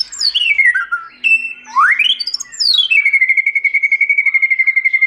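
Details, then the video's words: Song of a white-rumped shama in forest voice, for song training: loud descending and rising whistled sweeps, then a long rapid trill of evenly repeated notes on one pitch. "Chòe Lửa Hót Giọng Rừng"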